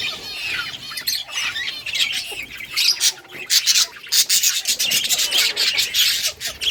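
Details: Budgerigars in a colony, playing, recorded August 25, 2023: dense, overlapping high chirps and scratchy warbles from several birds, with bursts of louder squawky notes at an uneven pace.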